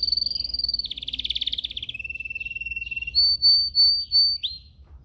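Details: Yellow canary singing in a cage during song training, filmed on a Samsung S8 Plus phone: a rapid high trill, then a lower buzzy rolling trill, a long even lower trill, and finally sustained high whistled notes.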